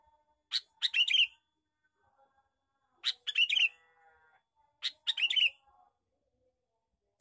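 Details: Three bursts of a male sooty-headed bulbul's bubbly, chattering lure call, roughly every two seconds, bright and high, with quiet pauses between.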